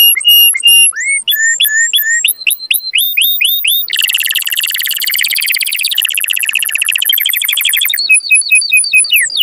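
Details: Canary singing strongly to encourage breeding: opens with separate upswept whistled notes, then shifts into buzzy rolling trills and a quick rattle, ending with repeated rising slurred notes.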